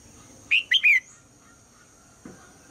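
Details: In the morning, a female red-whiskered bulbul gives a single loud three-note phrase to draw song from the male: a short clear whistle, then two sliding, slightly buzzy notes, followed by a soft low thump.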